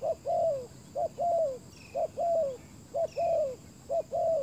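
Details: Spotted dove decoy luring wild birds, giving loud close coos in pairs, a brief note then a longer slurred coo that drops at its end, repeated roughly once a second; occasional faint high chirps.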